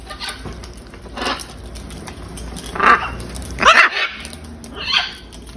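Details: Wild macaws, hundreds of them gathered at feeding time: harsh, raspy squawks burst out every second or so, louder near the end, over a low murmur of other calls from the flock.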